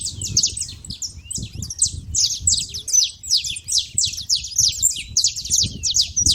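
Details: Crowd of saffron finches at a feeding spot, with rapid, overlapping high tweets that barely pause, like a busy flock chattering, over a faint low hum.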